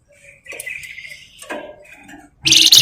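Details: Flamboyan bird lure meant to provoke others into song: soft whistled phrases and chirps, ending in a sudden loud, very high, rapidly pulsed trill.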